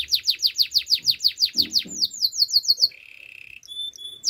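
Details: Training song of a canary: a rhythmic tour of descending slurred notes about four to five per second, a quicker tour, a flat low roll, then thin high whistles.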